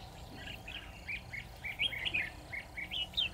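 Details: Red-whiskered bulbul acting as a trap decoy to lure a lone wild bird, delivering a quick, continuous string of bright, slurred whistled notes that rise and fall, over faint low background noise.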